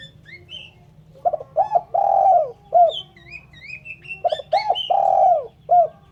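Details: Spotted dove, a clean recording for luring birds, cooing in two stuttered phrases ending in long falling coos and short tail notes, while another bird sings thin high whistled chirps in between.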